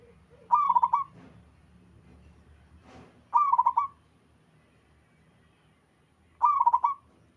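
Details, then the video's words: Local wild zebra dove cooing with others answering: three bubbling, pulsed coo phrases spaced about three seconds apart, with scattered clicks and a low background rumble. "Suara burung perkutut lokal alam gacor sekali putar lainnya ikut nyahut"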